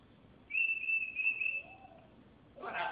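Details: Military macaw kept as a pet gives a long, steady high whistle lasting over a second, followed by a brief harsh speech-like syllable.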